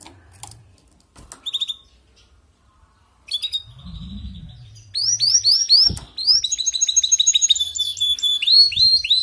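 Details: Canary singing, starting with scattered chirps and brief trill fragments, then building after six seconds into a continuous run of rapid upswept notes and high ringing trills.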